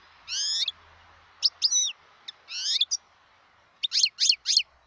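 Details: Wild European goldfinch song from 2018: a drawn-out rising and falling whistled note, then short clipped chirps and a run of three quick descending twitters, heard over faint background hiss.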